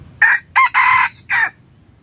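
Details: Red junglefowl decoy bird crowing for hunting: one full crow of four harsh, strident bursts, short, short, long sustained, then a shorter final note, over a quiet background.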